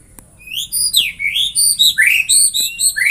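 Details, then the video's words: White-rumped shama song, offered as a sound to get other shamas singing: a rapid run of high, clear whistled notes, some rising and some sweeping down, packed closely over three seconds with a faint low hum beneath. "Semua jenis murai batu bakal gacor dengan suara ini"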